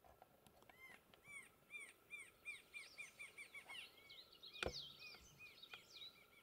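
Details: Rufous-winged antshrike (Thamnophilus torquatus) recorded 25 April 2021 at Ribas do Rio Pardo, Mato Grosso do Sul, Brazil: an accelerating run of arched, downslurred notes, with other high chirping birds and a sharp click overlapping later.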